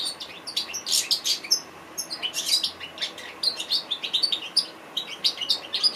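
An African goldfinch sings a fast, high, tinkling twitter of short chirps and trills, running almost without pause. No other sounds stand out.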